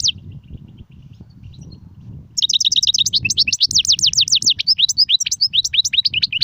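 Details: European goldfinch song, styles called Serfati, Gzrati and Sersir: after a quiet stretch with faint rumble, a dense burst of fast repeated high twitters and buzzy slurred notes runs without break to the end.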